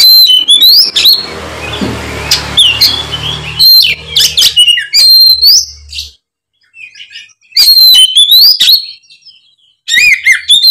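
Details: Oriental magpie-robin singing loudly and openly as a lure recording meant to make a spotted young molting magpie-robin answer; bright slurred whistles and clipped notes in bursts, a stretch of rustling noise, then brief pauses between phrases.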